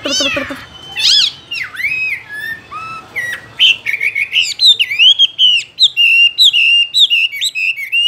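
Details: Caged Chinese hwamei song opening with varied swooping whistles and pauses, then speeding into a rapid series of short looping whistled phrases, about two or three a second.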